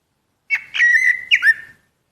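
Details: Common blackbird, Turdus merula: one short clear whistled phrase, sliding up and down, broken by two brief accented notes, with silence before and after.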